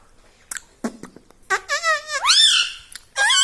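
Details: Talking pet parrot indoors, known for saying "Mummy" and "Papa"; a few soft taps, then a long drawn, stepped squeaky phrase that sweeps upward, followed by another bright squeaky syllable.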